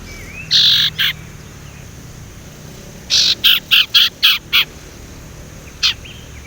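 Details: Young male Sumatran leafbird still learning its whistled song, recorded as a lure. Two harsh notes, then a rapid string of six rasping chirps, and a single final note.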